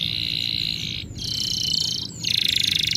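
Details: Bird chirping: three long buzzy, rolling trills at a steady high pitch, each about a second long and separated by brief gaps, with a soft low rumble underneath.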